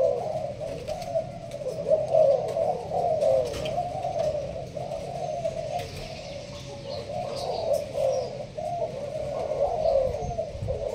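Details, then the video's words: Caged Malaysian-strain spotted dove delivering the sparse urging coo. Low soft coos run nearly continuously, rising and falling in loudness, with faint high chirps in the background. "Con trong lụp lá, Malaysia thúc gù bài thưa. thích hợp ae nuôi kiểng nghe gáy gù."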